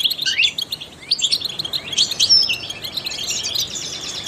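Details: Trained European goldfinch opening with a rising slurred whistle, then quick high chirps and twitters that fade into a softer, continuous warble.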